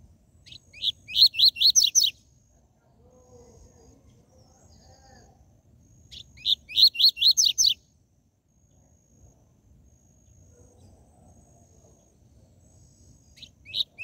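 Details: Double-collared seedeater (coleiro, papa-capim) in the TUI TUI ZEL ZEL song style, used to fire up captive birds. A burst of six or seven bright, rapid, descending chirps repeats about every six seconds, with quiet low background noise between.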